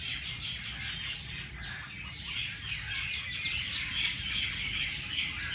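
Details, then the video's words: Several birds chirping at dawn in Jilani Park, Lahore: continuous overlapping high twittering with short whistled notes, fairly even in loudness, over a low background drone. "Birds sounds Chirping at race Cource Jilani Park Lahore صبح سویرے پرندوں کی پیار بھری باتیں"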